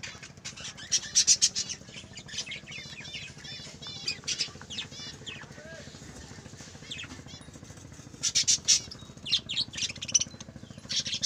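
Budgerigars warble and chatter, a busy stream of high chirps, squeaks and wavering whistled notes.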